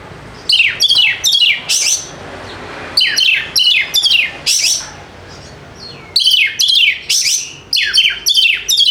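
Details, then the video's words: White-rumped shama song played to coax lazy birds into singing, made of three clusters of rapid, harsh downward-sweeping notes, each cluster about two seconds long and separated by brief silences. "PANCINGAN AMPUH UNTUK PIKAT KACER YANG MALAS BUNYI SEKETIKA GACOR"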